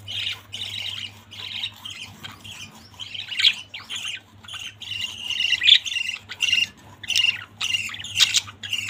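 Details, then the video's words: A budgerigar family producing steady, rasping warble of short squawky chirps, almost without gaps and building in loudness toward the end, with a low background hum. "Beautiful budgies family"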